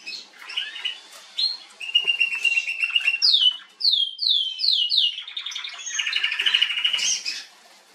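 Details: Female canary singing, recorded 21 January 2022: a varied song of rolling trills and buzzy rattles broken by a string of quick, descending whistled slurs, then returning to a long rapid trill.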